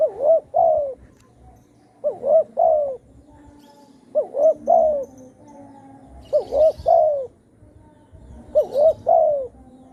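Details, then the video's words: Spotted dove giving lure calls for trapping, styled satu kuk or dua gayau: five evenly spaced phrases, each two quick coos then a longer falling coo, repeated roughly every two seconds. "suara burung tekukur satu kuk atau dua gayau"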